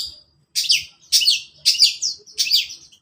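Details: In the morning, a long-tailed shrike repeats the same harsh, buzzy two-part phrase four times, each about half a second long with short pauses between, over a quiet background.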